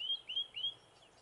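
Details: A Eurasian blackcap in northern Gran Canaria, May 2020, gives three clear, fluty whistled notes, each sliding upward, in quick succession about a quarter-second apart, then falls quiet.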